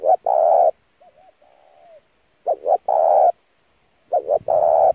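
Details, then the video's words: Spotted dove cooing as a lure to train a newly caught wild dove, an intense, urgent coo: two short throaty notes then a long, rich, steady coo, given three times, with soft wavering murmurs between phrases; no other sounds. "kích mồi tập bổi chim cu gáy cực chuẩn / thúc gù căng lửa"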